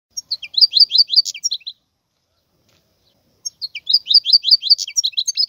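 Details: Wild European goldfinch singing: two bursts of rapid twittering, tinkling notes separated by a pause of nearly two seconds, bright and high, with no other sounds.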